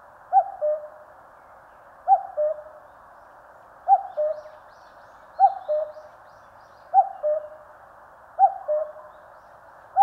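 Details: Repeated cuck-oo of a common cuckoo in Korean mountains: seven mellow two-note calls, each falling from a higher to a lower note, about every 1.5 seconds.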